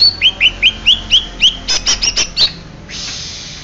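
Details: Greater green leafbird, genuine Banyuwangi type, singing a run of bright rising whistled notes about four per second, then sharper high chips, ending in a brief buzzy hiss.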